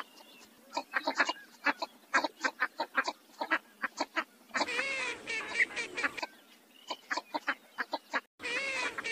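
Northern Shoveler giving rapid runs of short, clipped duck notes, several per second, broken by longer harsh, nasal chattering bursts.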